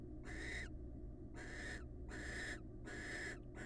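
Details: Wild barn owls bonding as a pair. Four scratchy, breathy hisses at about one-second intervals, some with a faint tonal edge, against a constant low hum.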